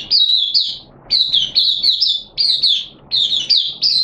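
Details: Oriental white-eye (mata puteh) from Malaysia, happy 'buka sing' display, 25 February 2023: loud, high, sweet chirps that slur downward, delivered in quick pairs and triplets with brief silences between groups.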